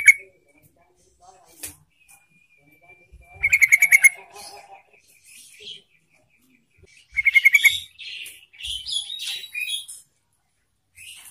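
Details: Lure recording of a yellow-vented bulbul, meant to make other bulbuls sing: two loud bursts of quick, bubbly, gurgling notes about four seconds apart, with softer scattered chatter and a thin held tone in between.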